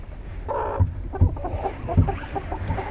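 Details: Chickens going to roost in a coop at night: a few low, soft clucks and a short warbling murmur over thumps and a constant background hum.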